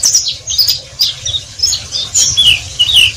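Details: Oriental white-eye (pleci) singing in the chattering ngeriwik style: rapid high, thin twittering notes with quick rising and falling slurs, tumbling in short bursts about twice a second, with a low steady hum beneath.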